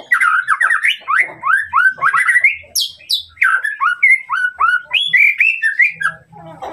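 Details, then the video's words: Song of a white-rumped shama meant to provoke a rival: rapid series of upward-slurred whistles, chattering runs and a few piercing high notes, ending in softer scratchy notes; faint low hum beneath. "masteran murai batu untuk memancing emosi lawan"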